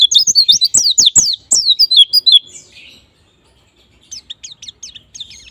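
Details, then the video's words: White-eye (pleci) lure to spur ngalas and nembak singing: two seconds of rapid shrill twittering and clicks, a long near-silence, then a softer string of high chirps. "Pancingan Pleci Bahan Agar Cepat Bunyi Ngalas Dan Nembak"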